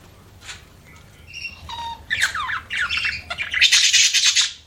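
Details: Budgerigars chirping: quiet start with a few thin whistles, then building into rapid, scratchy warbled chatter that grows louder and denser toward the end.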